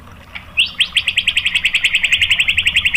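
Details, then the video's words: White-rumped shama song used as a lure to provoke rival shamas: after a rising whistle, a quick regular trill of about twenty bright notes at a steady pitch. "SUARA MURAI BATU FULL TEMBAKAN ¦ PANCINGAN MURAI ¦ SHAMA BIRD"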